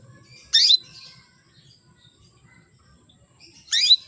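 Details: Female canary giving calls to make males eager and singing: two loud, harsh, high chirping bursts about three seconds apart, with quiet low background noise between.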